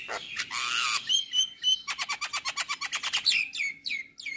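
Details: Male Javan myna singing in the morning, full varied song for training birds: a rough hissing note and clear whistles, then a steady rattle of about fifteen sharp ticks and falling whistled slurs.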